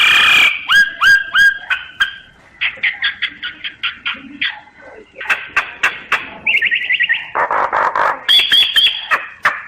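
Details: Chattering song of a common myna, recorded on a phone app: repeated paired whistled notes, a string of short staccato clicks, a brief rapid trill, and broad harsh squawks near the end.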